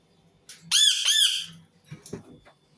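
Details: Indian ringneck parakeet giving two harsh arched screams in a small room, followed by softer scattered clicks and knocks.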